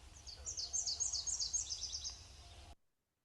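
Nashville Warbler singing a two-part song: a high, thin series of paired notes, then a quicker, slightly lower run to finish. Faint low rumble beneath.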